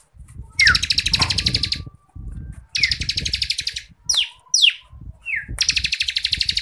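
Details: Bar-winged Prinia (ciblek kristal), vigorous 'ngebren' tutor song for contest birds: pulsed high trills each introduced by a downslurred whistle, with separate slurred whistles between, over a constant low rumble.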